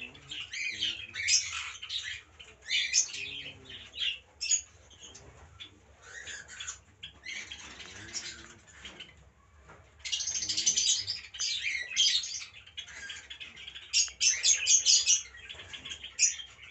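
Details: A colony of cockatiels at feeding time keeps up a dense, scratchy chatter of harsh squawks and chirps.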